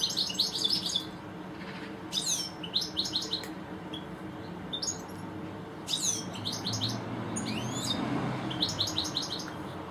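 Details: Two European goldfinches singing in a garden: lively high-pitched twittering in short bursts of rapid repeated notes with sliding, liquid accents, recurring every couple of seconds over constant low rumbling background noise.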